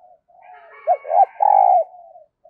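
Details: Spotted dove used as a decoy, cooing to lure fresh wild birds: a soft lead-in, then two short rising hoots and a longer drawn-out mellow coo, ending in a quiet trailing note.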